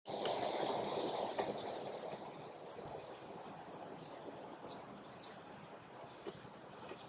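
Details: Male Calliope hummingbird singing: very high, thin, squeaky notes in quick irregular bursts, several a second, after an opening rush of low wind-like noise.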